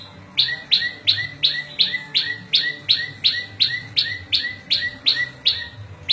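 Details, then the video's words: Rhythmic prinia song for tutoring caged birds and trapping wild birds: a fast, even string of about seventeen piercing chips in six seconds, each note paired with a fainter lower hooked tone. "Suara Variasi prenjak lumut cocok buat masteran&pikat burung liar"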